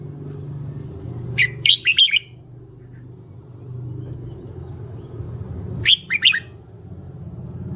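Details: Red-whiskered bulbul delivering two short bubbly whistled phrases of three to four notes, several seconds apart, over a rumbling low background hum like distant traffic.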